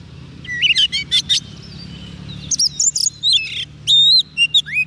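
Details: Singing Oriental magpie-robin, fed on soft food and eager to sing, calling wild birds: clusters of sharp chirps and buzzy trills, then drawn-out clear whistles near the end, over a low steady hum.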